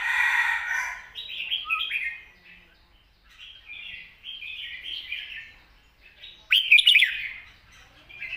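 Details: Red-whiskered bulbul singing long, soft-voiced wild-style song mixed with chattering: a loud opening note, then a string of gentle warbled phrases, and a sudden sharp, bright flourish late on.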